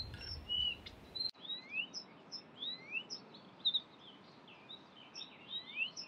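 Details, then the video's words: Singing Blyth's reed warbler at Far Ings Nature Reserve in the UK, 11 June 2020, imitating birds like Greenfinch, Chaffinch and Quail; a brief low rumble gives way to a string of thin, high, upslurred and downslurred whistles. "The amazing BLYTH'S REED WARBLER singing in the UK"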